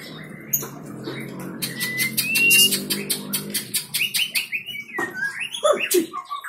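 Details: White-rumped shama (Copsychus malabaricus), song.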